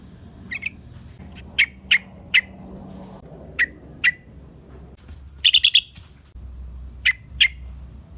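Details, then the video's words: Sooty-headed bulbul sound for luring wild birds: scattered short, sharp chip notes spaced about half a second apart, with one brief cluster of quick harsh notes in the middle. "Suara trucukan gacor"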